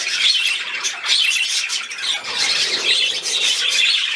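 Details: Playing budgerigars in an unbroken stream of quick, high, grating chirps and twitters, pulsing unevenly about once a second, with no other sound standing out.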